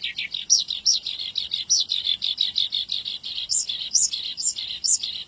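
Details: Javan bush lark singing energetically as a tutor for young birds. A steady, rhythmic run of quick chirps, with sharper, higher accented notes standing out several times.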